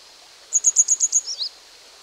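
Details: A young grey wagtail (Motacilla cinerea, juvenile plumage) gives a quick run of six sharp, high ticking notes, then two slurred, falling notes, against a quiet background; a species of fast-flowing, mostly wooded streams.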